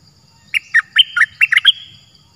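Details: Cream-vented bulbul, wild bird answering a decoy, gives one loud bubbly phrase of about eight quick chirping notes, rising and falling, lasting just over a second against a quiet background.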